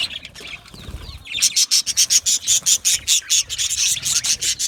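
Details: Aviary budgies: after scattered chatter, one bird gives a rapid, evenly spaced series of bright chirps about three per second while others call softly behind.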